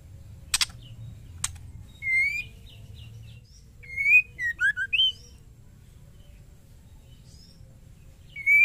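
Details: Female white-rumped shama calling to a male, giving brief whistled phrases of rising and falling notes at about two and four to five seconds, after two sharp clicks, over a steady low hum.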